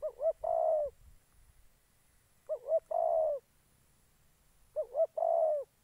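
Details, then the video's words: Spotted dove used as a trapping decoy in Gia Lai, Vietnam: three evenly spaced phrases, each two quick rising notes then a long, slightly rough coo dropping at the end, roughly every two and a half seconds. "Bẩy chim cu gáy"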